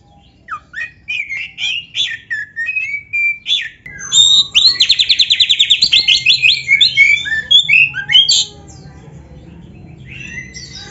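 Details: Oriental magpie-robin (kacer) singing gacor to make silent caged birds answer a rival: varied whistled phrases, then a loud, fast trill of about twenty rhythmic notes, more warbling, and a quiet close.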